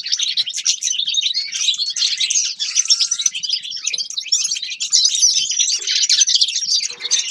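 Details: Grey-crowned goldfinch song, a lively, unbroken medley of high chirps, buzzy notes and rapid trills, sustained at steady volume.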